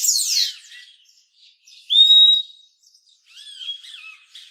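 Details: Purple-throated euphonia giving a loud drawn-out whistled note, preceded by a rapid descending trill and followed by softer slurred whistles and faint chips.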